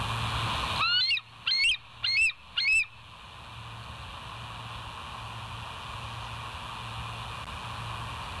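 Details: Bald eagles at the West End nest, live nature cam, 19 September 2023, 06:52 in the morning: four loud, sharp, high chirping notes, each rising then falling, spaced about half a second apart, then only low background hum.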